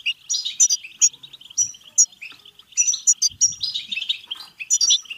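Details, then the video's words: Rapid twittering song of a European goldfinch, played to stir goldfinches into song and breeding: chattering phrases mixed with clear high tinkles and brief nasal buzzes, flowing almost without pause. "بتبتة حسون فعالة و رهيبة لتحفيز الحسون على التغريد و التزاوج و الهيجان سيغرد دون توقف"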